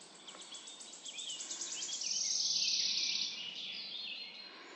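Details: Forest birds at morning: a fast run of repeated high ticking notes builds into a dense, loud, shimmering trill, then eases into softer twittering phrases.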